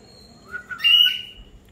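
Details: Indian ringneck parakeet on a rainy day. A rising whistle swells into a loud, sustained squawky tone before cutting off, with a person's voice nearby.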